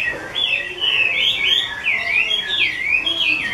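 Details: Bright, sustained whistling from a 'mơ' Chinese hwamei owned by a keeper: smooth notes glide up and down in rolling arcs, almost without a break, loud and clear.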